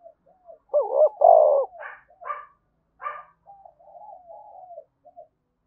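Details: Spotted dove, energetic 'thúc bổi' coo intended to make other doves coo: a strong double coo followed by three short rough bursts, then a soft wavering coo tail.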